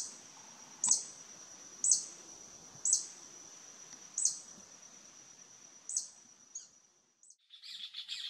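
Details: Wild violet sabrewing in Costa Rica giving territorial calls against rival hummingbirds: five piercing high chip notes about a second apart, fading toward the end, followed by a brief rustle and faint higher twittering.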